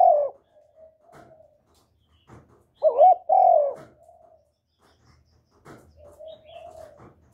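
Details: Spotted dove giving continuous cooing meant to lure other doves: deep, hollow coos in short bursts, two loud paired notes in the middle followed by softer trailing coos, with faint clicks between phrases.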